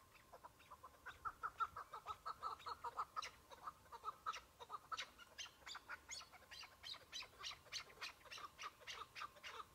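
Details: Wild chukar partridge, one bird on a spring hunt amid melting snow patches, gives a long series of clipped, harsh notes that speed up and grow louder midway, with a faint steady tone underneath.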